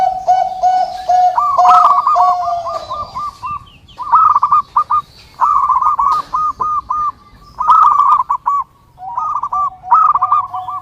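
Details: Zebra dove (perkutut) song used for training and luring: rolling, stuttered cooing phrases of quick repeated soft notes, a steadier lower coo running beneath, phrases separated by short pauses.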